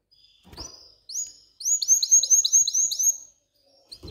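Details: Canary in breeding mood sings to stimulate females toward mating and nest building, delivering a run of about seven loud upward-sweeping whistled notes after two short introductory ones, with quiet gaps between.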